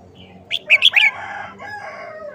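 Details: Red-whiskered bulbul singing a short-phrased song style, delivered often: a quick burst of four or five bright, clear whistled notes rising and falling, then quiet low background hum.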